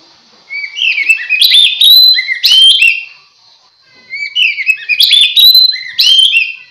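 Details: Oriental magpie-robin song used as a lure to draw other magpie-robins: loud varied whistled phrases with rising and falling slurs and sharp chips, two bursts separated by a short pause.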